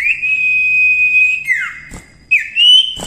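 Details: Gacor cipoh, the common iora, kept for masteran: one long level whistle lasting over a second, then a falling slur, a pause, and a rising whistled note, with faint clicks in between.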